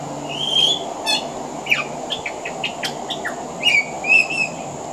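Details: Pied butcherbird singing from a veranda, mimicking other Australian birds: bright high whistles, rapid clicking trills and short downslurred notes in a lively varied sequence.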